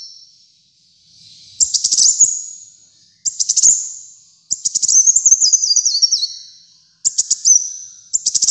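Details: Brown-throated sunbird in lively song for bird-training use: short bursts of rapid high ticking notes with fading tails, and one longer phrase with a stepped, downward-zigzagging trill.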